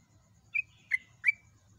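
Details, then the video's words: Yellow-vented bulbul in a loud training recording for songbirds: three short, clear whistled notes, each sliding downward, spaced about a third of a second apart, over quiet low background noise. "MASTERAN BURUNG TRUCUK SUPER GACOR"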